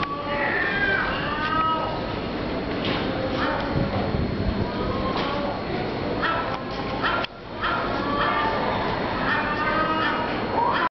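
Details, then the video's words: Several gulls scream over the Rialto fish market in Venice once it closes. Overlapping descending wails and shorter yelps come in bursts, with a continuous urban din and a brief break in the middle. "screaming seagulls"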